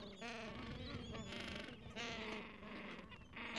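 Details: Gentoo penguins and chicks roughly two weeks old, which crowd under their mother for warmth in cold wind; continuous overlapping buzzy brays and high squeaky notes, with wind underneath.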